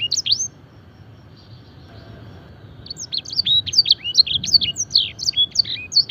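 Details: Canary training song filled with blackthroat and edel sanger phrases: a few sharp notes at first, a quiet stretch of low hum, then a dense run of quick high chirps and slurred whistles from the third second onward.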